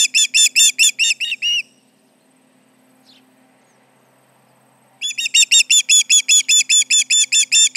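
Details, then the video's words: Osprey alarm calls at the Charlo nest, July 29, 2019, 11:30am MDT, with intruders about: a burst of quick piercing chirps, over three seconds of near silence, then the shrill series resumes. "Intruders around, 7/29/19 - Charlo osprey nest"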